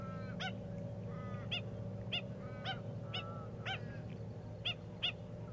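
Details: Australian pied oystercatcher foraging among stranded seagrass: a series of short, sharp piping notes about once every half second, fairly faint against steady low rumbling background noise.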